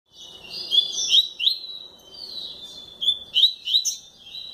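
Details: Caged double-collared seedeater singing a fast, varied run of sweet whistled and slurred notes, rising and falling sharply, phrases given in quick bursts with short pauses between them.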